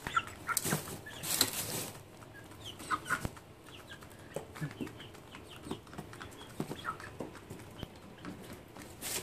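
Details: Several domestic chickens recorded on 30 June 2014 give scattered short clucks and squawks at irregular intervals, broken by loud broadband bursts of rustling or flapping noise near the start and end.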